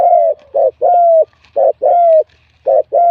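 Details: A wild-caught spotted dove with a medium-to-large voice, recorded for a singing competition. Loud, clear coos alternate between short burred notes and long, even, slightly falling notes in a brisk repeating pattern.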